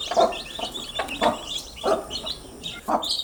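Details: Baby chicks chirp in short squeaky peeps layered over one another. Regular soft thumps come about once a second, and a clearer high two-note peep sounds near the end.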